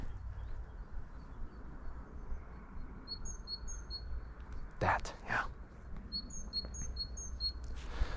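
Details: A great tit singing from a treetop near a pond and creek on a winter morning, 13 February 2024, in Central Europe, one of the year's first songs there. Bright two-note phrases, high then lower, in quick bursts. A man's voice and outdoor rumble.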